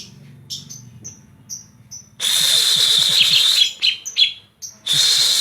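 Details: Greater green leafbird from Banyuwangi, its song filled with kapas tembak phrases: short high whistled notes repeated about twice a second, then a loud, harsh, buzzy burst of chattering that stops and starts again.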